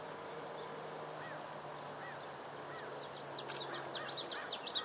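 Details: American avocet chick recorded in 2011 with a Panasonic GH2 camera: a burst of high, thin, wavering peeps in quick succession near the end, after slower lower arched calls from other birds over steady background noise.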